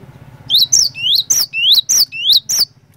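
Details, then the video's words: Cinereous tit (glatik batu) singing to prompt other tits: seven ringing high notes that swoop upward then break sharply, spaced unevenly, with a steady low drone underneath. "PANCINGAN BURUNG GLATIK BATU GACOR INI ASLI BIKIN GLATIK BATU LAIN LANGSUNG IKUT BUNYI"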